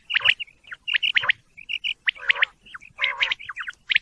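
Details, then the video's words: Quick series of quail calls: clear whistled chirps, some short flat notes and some rising, mixed with a few raspy lower squawks, several birds seemingly overlapping. "quail bird sound"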